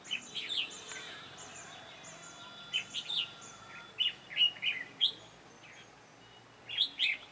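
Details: Red-whiskered bulbul recorded during trapping, its sharp, lively voice heard as short warbled, slurred phrases of bright notes in bursts, a pause in the middle, then more bursts near the end.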